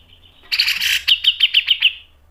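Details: Grey-cheeked bulbul bursts into a noisy harsh chatter, then delivers a clear series of about six sharp pulsed notes, evenly spaced and fading, from a masteran tutor recording.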